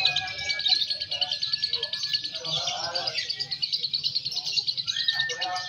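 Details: Lovebird of balibu age singing during a competition: a dense, continuous high chattering trill with short whistled slides, over murmuring people and other birds in the background.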